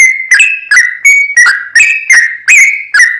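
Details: Sooty-headed bulbul in lively long-running song, used as a lure to provoke another bird to sing: loud, clear whistled notes near one pitch, each starting with a sharp attack, repeated about every half second.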